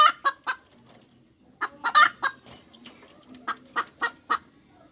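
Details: ['Hens cackling: bursts of sharp, harsh clucking notes, three rapid ones to open, a louder cluster near the middle and another run at the end, each with bright ringing overtones, separated by quiet pauses.']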